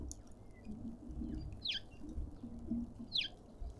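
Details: Cut-throat finches squabbling over food at a feeder in a suburban garden in Pretoria, South Africa: two sharp, downward-sweeping chirps about a second and a half apart, with faint twitters and steady low rumbling background noise.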